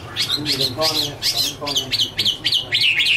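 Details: Strident Chinese hwamei phrases recorded in 2017: about seven loud up-and-down whistled notes in three seconds, several carrying a harsh rasping edge underneath.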